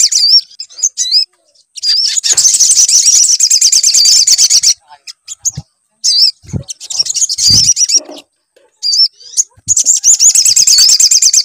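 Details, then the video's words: Lure recording of sunbird song to make a bird sing: several long phrases of rapid, piercing high twitters and looping whistles, with pauses and occasional low knocking sounds. "PANCINGAN SUARA SOGON AGAR BUNYI"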